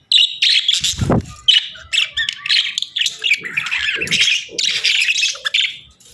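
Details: Budgerigar pair in the breeding season calling continuously: raspy squawks and fast warbled chatter, with a dull knock near the start and a few soft thuds.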